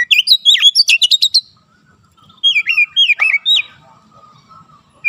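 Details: Oriental magpie-robin delivering fast, varied song for training young birds: a string of bright whistles and stuttering trills, a pause, then a second run of dropping whistled slurs ending in a single note.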